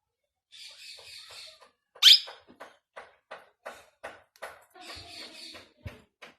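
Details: Newly acquired pet ring-necked parakeet talking for the first time indoors: a string of short, scratchy speech-like syllables, one sharp high squeak, and a few soft buzzy phrases, spaced irregularly over several seconds.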